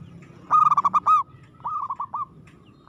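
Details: Zebra dove, local type, singing hard: a strong burst of fast bubbling notes ending in a drawn-out coo, then a quieter trilled answer phrase.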